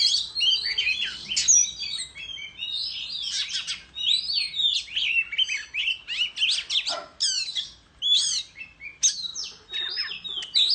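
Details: Countryside Oriental magpie-robin in a tail-fanning singing contest delivers bursts of rich whistled and scratchy phrases, clear ringing notes among rapid twitters, separated by short breaks.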